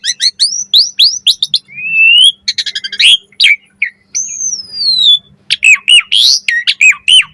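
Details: Asian pied starling pumping out a varied song, used as a lure and to train other starlings: loud, clear whistles, rising and falling slurs, rapid sharp notes and a long gliding whistle, closely repeated, with a faint low hum.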